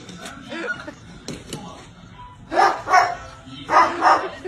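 A parrot gives two pairs of harsh, dog-like barks, each pair quick and doubled, after softer squeaks and chatter.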